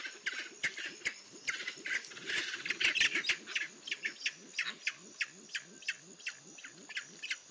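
Grey-winged trumpeter giving low, hollow notes in a quick series, about three a second, with sharp clicks and a steady high insect whine behind.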